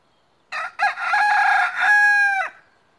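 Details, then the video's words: Rooster crowing once: a harsh two-part opening, then a long, rich, held note that slides down and cuts off after about two seconds, against a quiet background. "Rooster sing"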